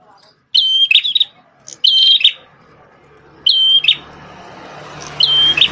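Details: Energetic prenjak tamu prinia with a red head, once a tutor for white-rumped shamas, repeats a whistled note followed by a buzzy rattle about every one and a half seconds while a low background hum rises.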